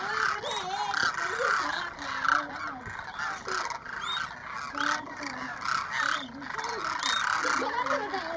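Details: About 2,500 demoiselle cranes, roosting overnight and coming in to drink at a small lake at Keechan, Rajasthan, India, in January 2016, keep up a dense chorus of overlapping, rolling, trumpeting calls, with a man talking over them.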